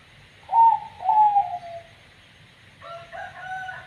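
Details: Zebra dove (perkutut), banyu mili katuranggan, with an odd voice: two smooth falling coos, then a softer, harmonically richer drawn-out note after a short pause.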